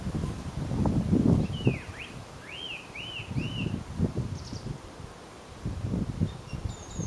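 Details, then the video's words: Roadside song thrush near Lincoln gives a run of arched, ringing whistles, four or five similar notes in a row, over rustling leaves and low wind noise. "The beautiful song of a songthrush"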